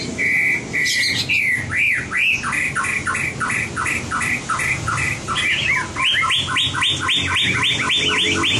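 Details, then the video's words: White-rumped shama song used in training for competition singing: an opening steady whistle, then a fast series of loud, looping downward-sweeping notes repeated about twice a second, quickening into a denser run near the end. "Luyện giọng chòe lửa - luyện chòe lửa hót đấu (murai batu)"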